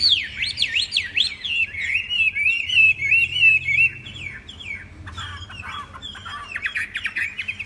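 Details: Tame Chinese hwamei singing: strong, sweeping whistles that swoop down and up in quick succession, then a steadier run of repeated notes, followed by fast, fluttering trilled phrases.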